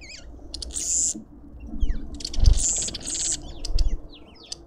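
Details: Lovebirds at a suburban garden feeder in Pretoria, South Africa, trade twisting squeaky chirps between loud rasping bursts and low thumps, the chatter continuing throughout.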